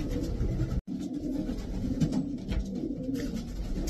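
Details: Racing pigeons giving low gurgling coos, a brief gap near the start, then overlapping rolling phrases with a few clearer rising notes.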